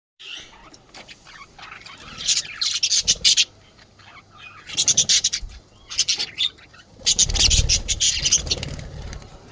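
Budgerigars chattering in bright, scratchy bursts of rapid high chirps and squawks.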